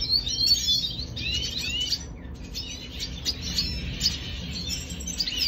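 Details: Red siskin from Venezuela in song on 25 June 2022, a busy stream of high twittering phrases and quick sliding chirps that pauses briefly near the middle, with a soft low hum and rumble underneath.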